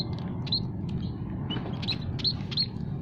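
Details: Munias, several kinds including scaly-breasted and Javan munia, kept in an aviary, used as a lure for trapping: short thin high chirps scattered irregularly over a steady low rumbling background.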